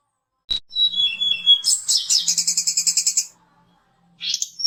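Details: Fighter-provoking lure song of a mountain tledekan. A sharp click is followed by falling whistles, then a long, loud buzzy rattling trill repeated in quick even pulses. A brief high squeak closes the phrase.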